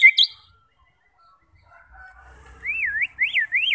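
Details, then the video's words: White-rumped shama song to trigger fighter birds: short bright notes, a quiet stretch, then three looping whistled phrases rising and falling in a wavy pattern. "90% Cocok untuk memancing SEMUA jenis Murai batu FIGHTER, GACOR dan BONGKAR Isian"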